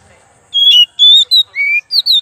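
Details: Oriental magpie-robin used as a lure song: five ringing whistled notes, high and steady, then a lower rising slur and a final high note.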